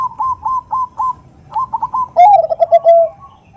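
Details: Zebra dove female calling a male, 'nutut' lure sound: a steady series of short, bright coo notes about every quarter second, speeding into a loud, rich, rolling coo that trails off in pulses.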